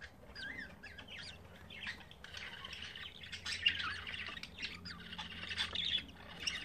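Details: Budgerigar nestlings, five days into their development, with a third chick hatched overnight; quieter, thin, wavering chirps and squawks that rise and fall, fairly continuous through the recording.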